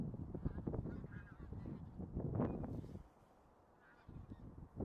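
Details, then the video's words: Massed honking of a bean goose flock, busy and overlapping at first, then dropping to a near lull before calls resume. "떼거리 큰기러기"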